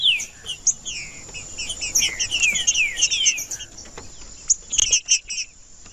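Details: Green-winged saltator male, singing to warm up and provoke rivals: a dense chain of fast whistled slurs for several seconds, then scattered sharp notes, with a high hiss throughout.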